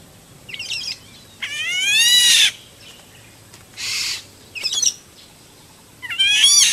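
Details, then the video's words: A black-naped oriole singing in the wild gives rich, rising whistled phrases with a slightly nasal edge, three bursts over several seconds, with a brief rasping note between them. "kepodang emas gacor"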